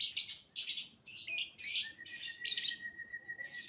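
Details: Lovebird youngster singing 'biola' style to provoke other lovebirds: short loud bursts of raspy high chatter, roughly two a second, with a long thin steady whistle running through the second half.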